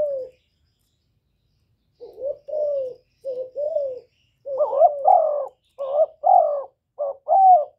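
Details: Spotted dove singing, recorded directly with no background noise as a lure to rouse kept birds; after a pause, soft paired coos grow louder, each a short burry note and a longer falling coo, about seven phrases.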